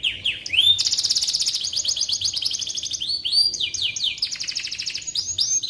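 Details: Canary song used to train shamas: opening swooping whistles lead into a long dense high trill, then descending slurred notes and another rapid trill, loud and continuous.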